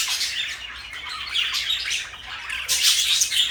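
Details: Two pet parakeets, one blue and one light yellow, kept as companions; a dense wash of high, scratchy chirps and squawks runs almost without pause, rising to a busier burst of overlapping calls near the end.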